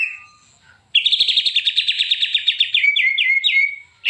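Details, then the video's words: White-rumped shama (murai batu) master song for training other shamas: a soft whistle, then a loud, fast high trill of repeated notes lasting about two seconds, ending in several downslurred whistles. "KOMPILASI MURAI BATU - KUMPULAN BEBERAPA SUARA OCEHAN BURUNG MURAI BATU GACOR UNTUK MASTERAN MURAI"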